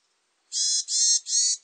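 A Varied tit gives three harsh, buzzy, high notes in quick succession, each about a third of a second long. No other sounds intrude.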